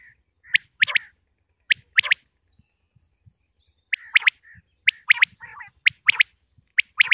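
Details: Common quail, known locally as batair, from Punjab, Pakistan: short sharp clipped notes in pairs and triplets, repeated in bursts roughly every second, with faint low knocks in the quiet background.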